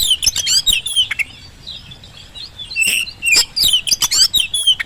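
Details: Oriental magpie-robin in full, active song, played as a lure to make quiet magpie-robins answer: dense, varied bursts of sharp high whistles, slurred notes and rapid chattery phrases, with a few short pauses, against faint low background hum.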